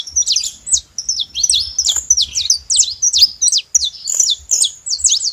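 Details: Saffron finches making lots of noise at a feeder: crisp, high chirps in short clumps of two or three notes, repeated roughly every half second, over a quiet, clean background.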